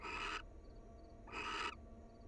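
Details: Two loud breathy screech-hisses about a second apart, from a wild barn owl pair cuddling at their nest, with faint high chirping pulses between them.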